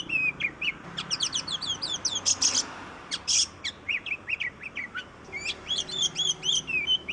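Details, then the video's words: Oriental magpie-robin (kacer) singing energetically, played as a lure to prompt reluctant magpie-robins to sing. Rapid, varied chirps and sharp upslurred whistles come in quick bursts, with a few louder, harsher notes, almost without pause. "Suara burung kacer Kacer ngoceh Kacer gacor"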